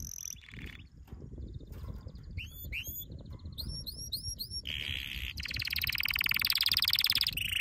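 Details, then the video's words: Training song of a canary: short trills, a run of ringing upward-sweeping whistled notes, then a loud, dense, fast buzzing roll to the end. "Your canary will NEVER STOP SINGING With this training song"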